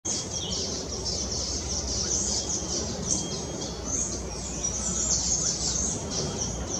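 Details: Common waxbills (Estrilda astrild) in the Brazilian Amazon chatter in a flock, a dense stream of thin, high, overlapping chips and tsip notes with a low background rumble.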